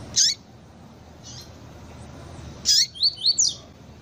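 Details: Calls of a female Double-collared seedeater, played to excite a cold male: a sharp high chip, a fainter note, then another chip followed by three quick thin rising notes and a last squeak, with low background hiss.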